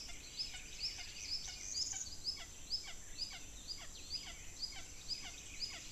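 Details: Red-shouldered hawks feeding chicks: high, thin downslurred squeals, about two a second in an uneven, insistent series, over a steady hiss.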